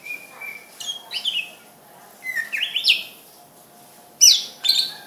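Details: Greater green leafbird singing: bright, varied whistled phrases, some sliding downward, others rising sharply, delivered in three bursts separated by short pauses, over a faint steady background hum.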